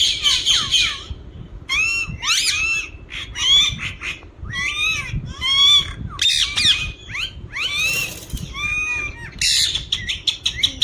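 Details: Green ringneck parrot kept as a talking bird, producing repeated bursts of harsh, high squawks with bent, wavering notes, each burst about a second long and separated by short gaps.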